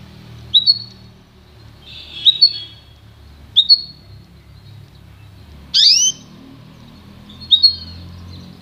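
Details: Pintagol hybrid of goldfinch and canary uttering paired sharp chirps at intervals, plus one louder sweeping upward note midway, against steady low background noise.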